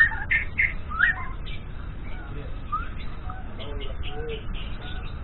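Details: In the morning, a juvenile white-rumped shama practises its song. A few loud clipped chirps open the phrase, followed by softer scattered notes and a series of quick ticking chirps, all against steady low background noise.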